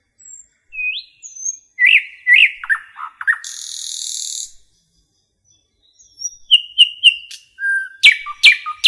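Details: Common nightingale in forest song: upward-slurred whistles, paired descending chirps, then a long harsh buzzy rasp. After a short pause comes a run of repeated ticking notes and loud sharp strokes with low tones between.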